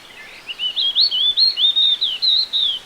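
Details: Indian (Oriental) white-eye (Zosterops palpebrosus) in Sri Lanka, a flocking bird of open woodland and gardens, gives a quick run of about eight thin, high, wavering chirps and twitters in under three seconds over faint hiss.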